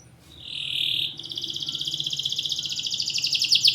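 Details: Champion domestic canary, a caged bird kept to lure lazy, silent canaries into song: a steady high whistled note, then a fast, loud, even trill of high buzzy pulses that speeds up and brightens toward the end.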